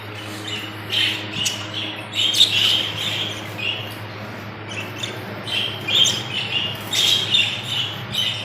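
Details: Budgerigars in Pakistan chattering in bursts of high, scratchy chirps and warbles, separated by short quiet gaps, over a steady low electrical hum.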